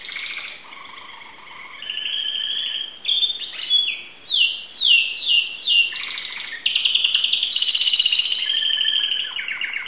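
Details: Timbrado canary, a Greek keeper's bird filmed in 2009, delivering varied song: soft low warbles, then loud separate descending whistles, then a dense buzzy rolling trill with quick chirps at the end.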